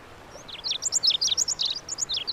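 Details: High-pitched Lazuli bunting (Passerina amoena) song: a rapid run of short down-slurred and chevron-shaped notes, some paired, delivered steadily for nearly two seconds against faint background hiss.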